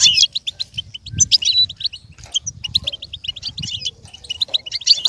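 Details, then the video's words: Goldfinch singing, recorded for other goldfinches to learn and imitate. Quick high tweets and twittered phrases run throughout, with soft low thumping noises underneath at times. "With stimulation for the goldfinch to learn and imitate sounds"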